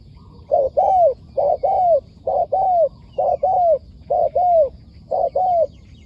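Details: A wild spotted dove replying to a decoy bird coos steadily, giving about seven phrases in six seconds. Each is a short note or two and then a falling, mellow coo, evenly spaced.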